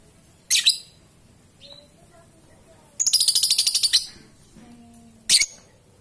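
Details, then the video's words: Lovebird singing in the ngetik and long ngekek style: sharp, very high chirps, then a second-long buzzy rattling trill of rapid harsh notes, followed by another short chirp burst, with a quiet background. "Burung Love Bird Ngetik dan Ngekek Panjang"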